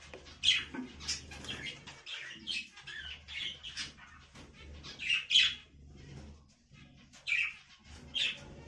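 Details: Budgerigar chattering steadily with a run of rough, high chirps and squawky notes, some loud and sharp, others softer. A low background hum runs throughout.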